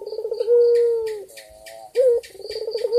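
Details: Male white dove calls for the female in lively gacor style: a long steady low coo, a pause, a short sharp rising note, then stuttering pulses starting the next phrase. Faint scratchy clicks and high ticking sound behind.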